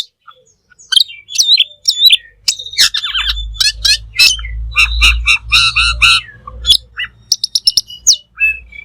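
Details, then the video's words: Black magpie singing vigorously for songbird training: a rapid, dense chatter of harsh notes and whistles over a low rumbling background, then a few sharp chips to finish. "Suara Burung Cucak Keling Full Gacor"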